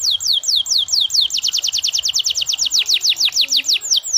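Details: Canary in continuous, lively song, used to prompt other canaries to sing, with long-lasting song and an ornate style: fast repeated high whistled notes sweeping downward, the tempo speeding up then slowing in a rolling trill.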